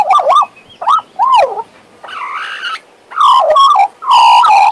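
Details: Warbling pet Western Australian magpie: looping whistled notes bending up and down, a softer buzzy stretch, then rich harmonic phrases with quick wavering trills.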